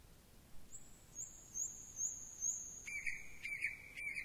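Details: Quieter thrush nightingale phrases: long high whistled tones pulsing about every half second, then a lower steady whistle interrupted by short clicks.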